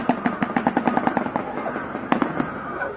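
Shoebill bill-clattering: a fast, hollow, machine-gun rattle of knocks, about six or seven per second, that fades to a few scattered raps, with faint background music.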